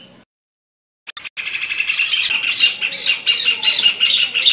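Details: Rufous hornero: after a short silence and a few clicks, a fast, loud series of sharp, ringing notes starts and grows stronger until the end.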